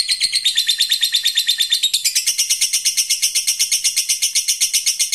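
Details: Continuous ngekek from a fighter lovebird responding to a rival, used to train young birds: a dense, shrill, machine-gun chatter of rapid pulses that shifts slightly higher midway and carries on throughout.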